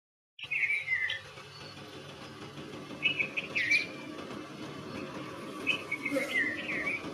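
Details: Red-vented bulbul calling: a few short, bright, slurred chirping phrases, spaced a couple of seconds apart, against a steady background hiss and faint other sounds.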